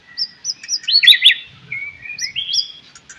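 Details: Morning song of a white-rumped shama used to prompt other shamas to sing: high thin whistles, a burst of sharp rising notes, then slurred whistles climbing in pitch.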